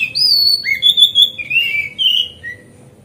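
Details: Magpie-robin in relaxed, continuous song meant to excite other magpie-robins into opening their tails; sweet whistled notes, some held, some sliding downward, follow one another closely before trailing off into quiet.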